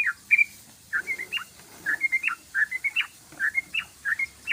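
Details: Yellow-vented bulbul singing a long 'ropelan' style song: quick bubbly phrases of three to five rising and falling whistled notes, repeated roughly every half second with brief gaps, against a quiet background.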